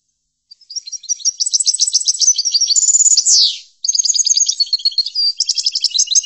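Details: European goldfinch song recorded for tutoring goldfinches: rapid high twittering notes and liquid trills, a sharp downslurred buzzy sweep near the middle, then more fast tinkling phrases with no other sounds.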